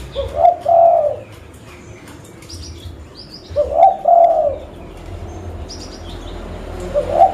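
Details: Local zebra dove used to lure other birds, Pidie, Aceh, Indonesia. Three widely spaced, slightly rising and falling trilled coo phrases, with thin high chirps from other birds between them and a quiet background.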